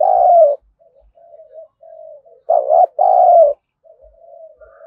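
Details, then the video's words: Spotted dove acting as a fight-provoking lure bird. A loud, rich coo opens, soft muted notes follow, then a strong double coo comes in the middle, trailing off into faint cooing. "Chim Cu Mồi Thúc Đấu/ tieng cu gay kich boi nhanh noi"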